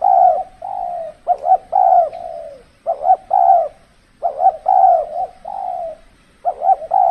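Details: Spotted dove used as a decoy in trapping during the cold, extreme season, when birds are less aggressive; loud repeated cooing phrases, each a short rising-falling note then a longer held coo, in bursts with brief pauses.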